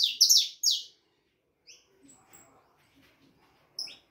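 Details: Saffron finch chick of the harlequin type, four and a half months of age: three loud, high, descending chirps in quick succession, then near silence with faint soft notes and one final chirp.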